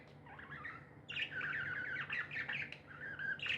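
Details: Happy pet budgies heard in a muffled, lower warbling chatter, soft rolling chirps building after a quiet start, with background room hum.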